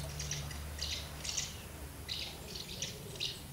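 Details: Common house martins crowding around two nests during feeding of young, 24 August 2012; a few brief, bright, scratchy chirps in small groups, separated by short gaps, over a steady low-pitched hum.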